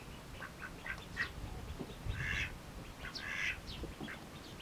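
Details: Mallard ducklings feeding eagerly; scattered high peeps and two brief buzzy bursts amid quiet background noise.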